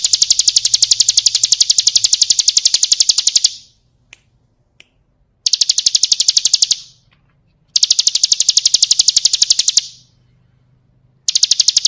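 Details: Bar-winged prinia song, a full-fill recording for training cage birds: bursts of rapid, high, sharply repeated notes about nine per second, each burst lasting around three seconds, split by short silences with a couple of faint clicks.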